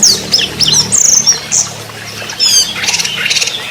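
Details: Orange-headed thrush in trotol style: a jumble of high squeaky slurs and a fast buzzy trill, followed by quick stuttering notes, with a faint low hum beneath.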